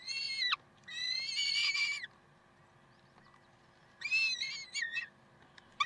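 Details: Peregrine falcons, Karlsruhe, 30 May 2010 at 7:27: a short harsh note and a rough wavering wail, a quiet gap of two seconds, then choppy grating notes and a brief final squeal.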